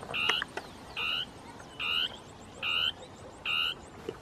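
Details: Dusky tapaculo (Scytalopus fuscus) giving its territorial song in scrub, possibly two birds interacting: a steady series of short, harsh, buzzy notes, about one every 0.8 seconds, over a faint high ticking in the background.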